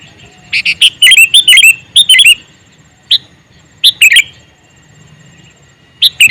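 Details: Calling male sooty-headed bulbul gives rapid clusters of loud, liquid chirping notes, several quick phrases in the first two and a half seconds, then spaced single and double bursts every second or two.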